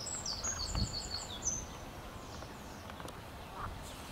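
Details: European stonechat, Saxicola rubicola: a quick run of thin, high, sharp notes in the first second and a half, then fading to faint rustle and quiet outdoor background.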